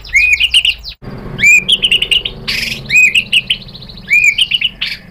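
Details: White-rumped shama in full song after being provoked, repeating short bright warbled phrases of rippling, wavering whistles, broken by a brief noisy rustle and short gaps.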